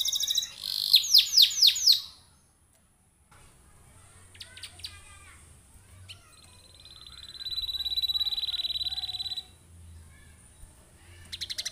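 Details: Singing canary used as a lure so other canaries join in: four loud downslurred whistles, a short silence, scattered faint chips, then a long even buzzy trill and a few sharp notes.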